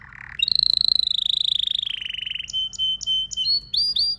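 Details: Domestic canary, male, song: a brief low buzz, then a long rapid rolling trill sliding slowly lower, followed by short separated whistled notes.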